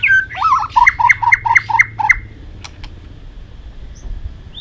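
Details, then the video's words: White-rumped shama giving fighting song, played to train and stimulate wild-caught birds: six evenly spaced whistled notes dropping low then flicking upward, roughly three per second, then a few sharp clicks over a quiet low hum. "chòe lửa hót đấu"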